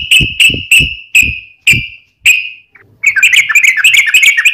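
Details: Sooty-headed bulbul (trucukan) in the rapid gacor tarung ngalas ropel style: six loud, clear whistled notes with low thumps beneath, each about half a second apart, then a fast, dense, bubbly chatter after a short pause.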